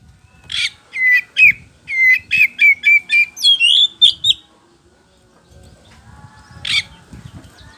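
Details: White-rumped shama singing as a lure to draw replies: sharp note then a quick series of about ten clear whistled notes rising in pitch, a pause with faint rustling, and one more sharp note.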